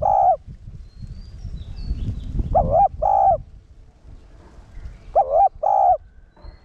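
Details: Spotted dove calling to stimulate caged males: paired coos, a short wavering note then a longer steady one, repeated twice with a quiet gap between, over faint low background rumble.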